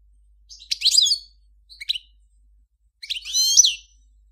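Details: Three short bursts of sharp, high twittering from a Major European goldfinch, recorded in 2014, separated by brief silences; the last burst is a longer, slightly buzzy flourish.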